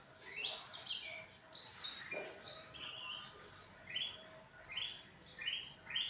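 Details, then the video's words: Cucak ranting singing after being fed crickets and sunbathed: short bright chirps and quick rising and falling whistled notes in spaced bursts, with a soft background hum. "Burung cucak ranting jadi gacor habis dikasih jangkrik + jemur"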